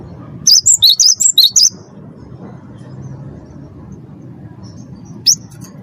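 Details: 'Wingko' Cinereous tit, a first-place champion, singing a lure phrase to get captive birds singing; a short string of about seven quick, high, whistled chirps, then a long quiet stretch and one last lone note.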